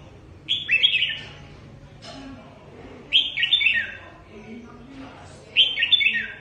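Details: Trapping decoy red-whiskered bulbul from Cao Bằng delivering three short, clear, warbling song phrases, each a quick rising-then-falling flourish, spaced about two and a half seconds apart, with soft low murmurs between.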